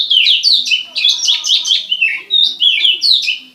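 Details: Oriental magpie-robin of the somersaulting type in prinia-imitating song: loud, continuous, high chirps in tight rhythmic bursts roughly every quarter second, bright and slightly strident.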